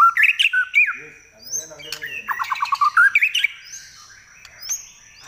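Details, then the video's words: Kept White-rumped shama giving a shrill nyelit trek song: loud whistled phrases, a rapid burst of rattling harsh notes, then fading thin high whistles in quieter surroundings. "Trek Murai Pastol Suara Nyelit"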